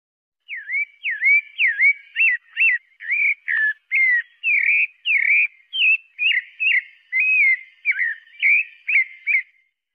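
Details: Pale-breasted thrush delivering a long run of about twenty varied whistled notes, many sharply down-slurred or hooked, spaced roughly half a second apart in a steady, quiet setting.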